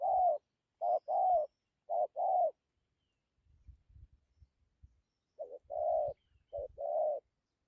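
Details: Spotted dove, 'thổ' type, giving 'gù' and 'dặm' coos: several low short-long coo pairs, a pause filled by faint low rustling and bumps, then the paired cooing resumes.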